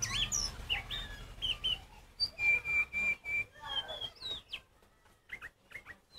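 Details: Kacer poci Oriental magpie-robin song meant to trigger other magpie-robins. Varied whistles, including a run of four even level notes, then softer, sparser slurred calls over low background hum.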